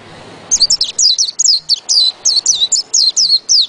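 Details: A white-eye sings in ngerol ngalas fashion, rattling off a rapid series of high, piercing, twisting whistles, roughly four notes per second, vigorous and unbroken.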